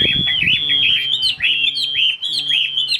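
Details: Caged Chinese hwamei for sale in Vietnam, a fast stream of bright looping whistled notes over a sustained high tone, phrases tumbling together; a steady low mechanical hum runs beneath.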